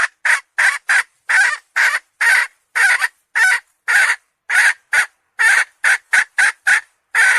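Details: Hen calling in a loud series of short, harsh clucking notes, about eighteen in seven seconds, irregularly spaced with brief gaps, in an otherwise quiet setting.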